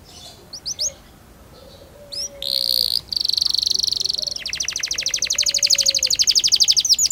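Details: Canary singing used to get young canaries practising: scattered high notes, a short buzzy burst, then a long, fast, even high trill that grows louder, over faint background noise.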